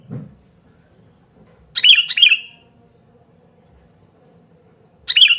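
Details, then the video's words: Sooty-headed bulbul calling noisily, a lure and tutor recording; a double bubbly chirp, a pause of nearly three seconds, then another chirp starting, with a soft thump at the start. "suara burung kutilang gacor super ribut memanggil"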